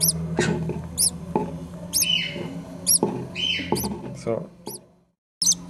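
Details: Five-day-old green-cheeked conure babies, four of them, with their mother still incubating one egg; sharp, squeaky peeps come in bursts with short pauses, over a constant low hum and faint shuffling, then brief silence near the end.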